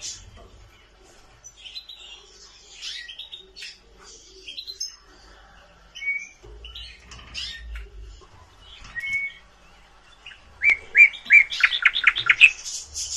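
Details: Nightingale singing in varied, well-spaced phrases: thin high notes and short whistles, then a loud run of rapidly repeated, falling notes near the end, with brief low rumbles underneath.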